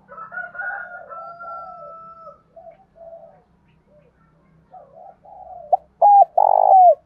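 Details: Spotted dove from Đồng Nai, Vietnam, calling in the morning: faint, wavering sounds and a drawn-out higher tone early on, then a loud phrase of clipped hoots and a rolling, falling coo near the end.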